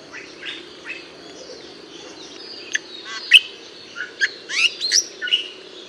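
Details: Bali myna watched in a back garden: a loose run of harsh chatters, clicks and bright whistled notes, sparse at first, then quicker and louder toward the end.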